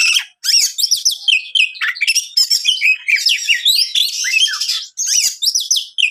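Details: Champion magpie-robin's challenging song, meant to rile other magpie-robins: dense, loud, harsh scratchy phrases mixed with rising and falling whistles, nearly continuous with short breaks.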